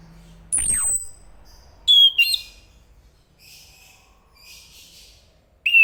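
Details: Chestnut-capped thrush, Zoothera interpres: a very high, sharply sweeping whistle, then a pair of clear whistled notes with scratchy overtones, quiet faint twitters, and a final short whistle.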